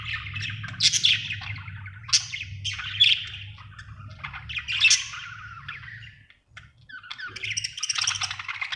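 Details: A happy budgie chatters in rough bursts of warbling and squawky notes, each burst about a second long, a brief pause near six seconds, over a faint low hum.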